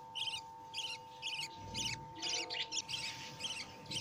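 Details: Newborn lovebird chicks being fed by their mother give harsh, raspy high chirps in quick bursts, about two a second, over a steady low electrical hum.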